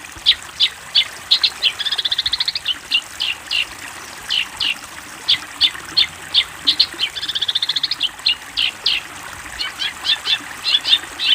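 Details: Long-tailed shrike master recording for young birds to copy: evenly spaced high chips nearly three per second, broken twice by fast buzzy trills, then the chipping resumes.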